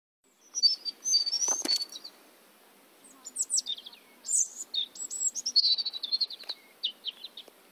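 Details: A European robin at Rača, Bratislava, Slovakia, sings two high, liquid phrases of thin whistles, warbles and fast trills, with a short pause between them.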